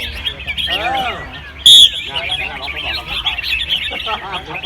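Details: Competition red-whiskered bulbuls in cages at Ban Khao Din field in Chonburi, Thailand, sing a dense chorus of high, rapid twittering notes, with a brief spoken voice and a short sharp tone near the middle.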